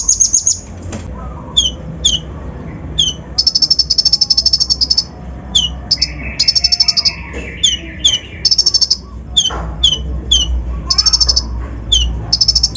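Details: Brown-throated sunbird lure song, packed with imitated fill-ins, to provoke other birds; short high buzzy trills alternate with sharp paired chips, and a steady lower whistled tone runs through the middle.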